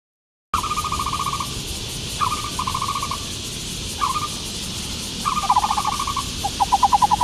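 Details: Black-browed barbet, known in Taiwan as the Taiwan barbet, giving low, hollow pulsed notes in short rattling bursts, five bursts over about seven seconds, the last one faster, over steady background hiss.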